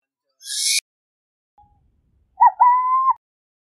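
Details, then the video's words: Burrowing owl: a brief hissing rasp, then after a pause its two-part coo, a short note and a long, level hoot. "Lechucita Vizcachera Canto! Lechucita Vizcachera Sonido! - Burrowing Owl Song - Athene Cunicularia"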